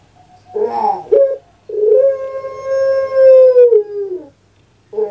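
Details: Kept puter pelung dove from Java, Indonesia, delivering a gruff, broken introductory note and then a long, sustained, even-pitched coo lasting over two seconds that drops and fades at its close, with another phrase starting at the end.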